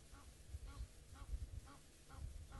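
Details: Egyptian geese at a dam in Djuma Game Reserve at sunset on a hot day, 5 October 2017, give about six short, harsh honks, roughly two each second, over a steady low rumble of wind or engine.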